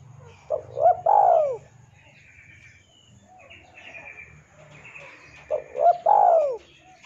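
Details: Spotted dove cooing energetically for use as a master song to train captive birds. Two phrases about five seconds apart, each of brief upward notes and one long sliding coo. Soft twittering and a low rumble continue between phrases.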